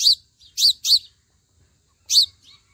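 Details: A sunbird filmed at its nest gives four sharp, high chips, three close together in the first second and one more after a pause. There are no other clear sounds.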